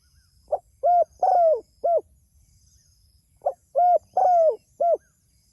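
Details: Spotted dove calling to its companions: two four-note phrases, each a short soft note, a hollow coo, a long coo sliding downward, then a final coo, about three seconds apart.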